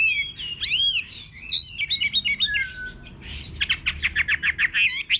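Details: In a countryside garden a Chinese hwamei sings clear, sweeping whistles and short trills, then switches to a rapid series of about fifteen evenly spaced, punchy repeated notes.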